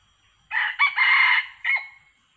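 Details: Yellow-plumaged male red junglefowl, wild, arriving with a female and drawn in by a decoy during trapping; one full harsh crow of three chopped phrases, a long steady middle note and a short clipped ending, over quiet background.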